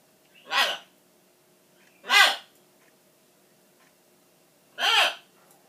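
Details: Indoor pet macaw yelling during a tantrum over its owner seemingly leaving. Three loud, harsh, harmonic squawks spaced roughly two seconds apart, each short and rasping, in an otherwise quiet small room.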